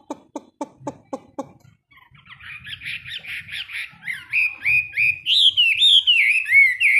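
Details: Caged Chinese hwamei kept as a hard-rack singing bird, heard in a morning song-training session: five sharp low clicking pulses, then a run of loud whistled phrases that rise and slur, growing stronger and more continuous toward the end.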